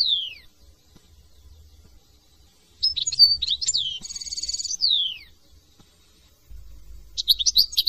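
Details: Singing European goldfinch, France: a long downslurred whistle, then lively jumbled high twitters and a nasal buzzy trill ending in another sliding note, a fresh twittering phrase starting at the close.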